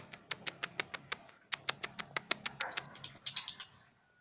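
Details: Three-month-old juvenile lovebird practising ngekek: evenly spaced dry clicks give way to a fast burst of piercing high notes rolled together into a shrill trill lasting about a second.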